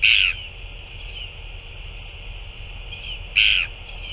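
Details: Two adult Northern royal albatrosses feed a chick on 9 February 2024; two loud harsh squawks about three seconds apart, with faint softer sounds between, over steady hiss.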